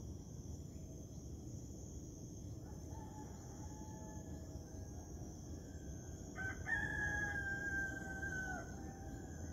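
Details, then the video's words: Rooster crowing at sunrise in the morning: a single drawn-out crow with an abrupt start, holding a steady pitch and then fading, over continuous high cricket chirping and a steady low background rumble. "Rooster Crowing"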